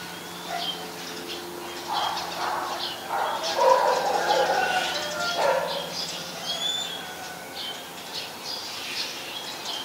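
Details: Common myna recorded in Ubon Ratchathani, Thailand, on 15 March 2021 with a Nikon P1000: harsh, chattering mid-pitched bursts grouped in the middle seconds, over steady background hiss and thin whistles of other birds.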